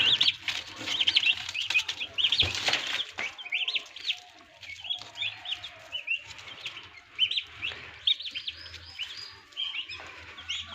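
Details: Newly hatching turkey chicks in an incubator on a farm in Assam, with a crowd of shrill, wavy peeps repeated almost a second apart, some short and rising, over a low steady hum and a brief clatter.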